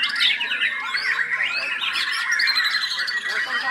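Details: White-rumped shama singing: energetic, scratchy chattering mixed with sweeping whistled phrases that rise and fall, delivered continuously and loudly as it unloads its mimicked song repertoire.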